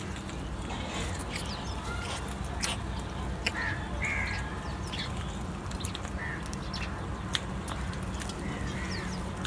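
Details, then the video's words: Crows eating and feeding together, one calling the others to food, give short harsh caws at scattered moments over a steady low rumble, with faint clicks and a few higher bird notes. "crow calling other crows for Food"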